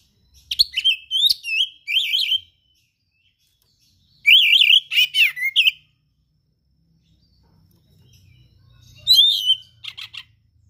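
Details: Oriental magpie-robin, a hobby songbird singing in the gacor style with rare mimicked material: three bursts of loud, varied whistled and trilled phrases, rising and falling, separated by short silences, with a faint low hum underneath.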